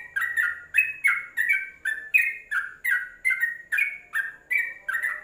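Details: Yellow-vented bulbul, recorded in its cage, gives a bubbly, chattering run of short mid-pitched notes, two or three a second, each slightly slurred and throaty; no other sounds intrude.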